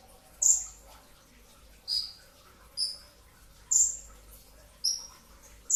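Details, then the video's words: Pre-dawn sahur training recording of a brown-throated sunbird in the '2tak' style with tight 'tembakan' shots: five piercing, very high notes, each quickly falling, spaced about every second against quiet background hum. "kicau konin dacok, kolibri ninja 2tak dada coklat full tembakan rapat"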